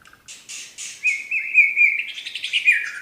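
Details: White-rumped shama of the Medan type singing a 'tembakan' burst: buzzy high chatter, then a long sustained whistle gliding into rapid, rising-and-falling warbled notes, loud and clear without background sound.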